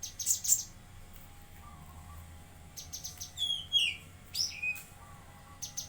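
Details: Bulbul, locally called cucak kinoi, singing actively in Jambi: brief bursts of high chirps alternate with sharp whistled slurs that drop in pitch, separated by quiet gaps.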